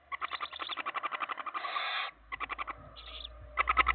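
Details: Four barn owl chicks giving quickly pulsed, raspy hissing calls in close succession, one longer unbroken hiss in the middle, with a low hum in the background.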